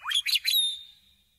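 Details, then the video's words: A meadowlark sings one quick phrase: a rising slurred note, two bubbly fluty bursts, then a long clear whistle fading away, with no other sounds. "Sounds of the Meadowlark"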